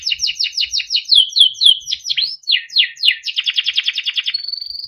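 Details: Timbrado canary, yellow, singing beautiful melodic phrases: repeated sweeping notes, then a run of falling slurs, a fast even trill, and a closing high steady whistle.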